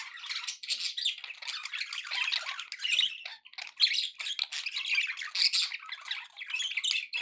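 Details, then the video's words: Happy pet budgerigars chattering indoors: a dense, continuous stream of scratchy, buzzy warbles and quick squawky chirps, overlapping and varied in pitch, with brief pauses near three seconds and almost no low background noise. "happy budgie sounds"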